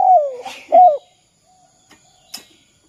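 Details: Spotted dove 'kuk 2' call used to prompt other doves to call. Two soft coos open the clip, the first falling and the second rounder, then quiet with a few faint clicks.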